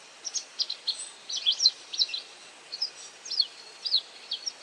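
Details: Foraging white wagtail, catching insects, utters crisp high twittering notes, a dense cluster early, then sparser single and double chips, against light background noise.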